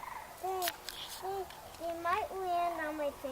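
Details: Sandhill cranes migrating back north from Florida, flying very high in a goose-like formation, first mistaken for geese. Low, rolling, trilled calls overlap in a chorus of rising and falling bugles, with people talking nearby.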